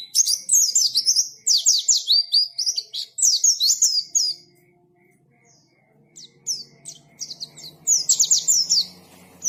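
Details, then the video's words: Active white-eye singing in ngalas style: fast strings of sharp, high, downward-slurred chirps, a near-silent pause midway, then more clipped chirp runs. "KICAUAN BURUNG PLECI GACOR NGALAS"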